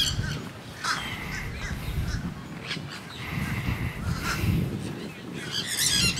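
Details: Wild monk parakeets at St. Pete Pier give harsh, grating squawks in short bursts, several in quick succession, over a steady low rumble of wind and outdoor noise.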